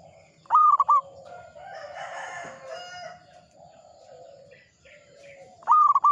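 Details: Local zebra dove singing: a loud cooing phrase with a long note and short trailing coo opens and closes the stretch, with a gap of soft mixed background noise and distant chirps between.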